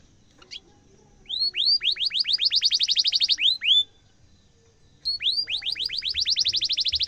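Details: Canary singing, described as a lively, sharp-rolling song used as a master recording to train young canaries: fast trills of rising-falling whistled notes in two bursts, about four notes per second, with a brief pause between.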